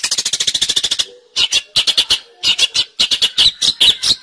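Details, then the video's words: Long-tailed shrike (cendet) gacor song as master audio for songbird training: a fast, even run of high clipped notes, a pause, then harsh squawky notes in pairs and short clusters. "Suara Burung Cendet | Gacor"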